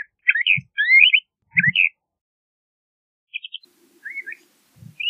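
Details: LeConte's thrasher giving a few scattered, varied whistled phrases with long silences between them, along with several soft low thumps.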